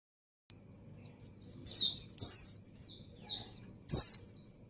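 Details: Female white-eye in breeding condition calling for a male, giving bright high-pitched chirps that sweep downward, several short bursts spaced irregularly, some doubled, over a faint low background hum.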